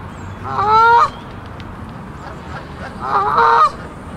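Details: Goose at a Central Park lake, adult of a pair with goslings, anxious because other geese were nearby; two loud, strongly harmonic honks about two and a half seconds apart, each roughly half a second long, over faint background hum.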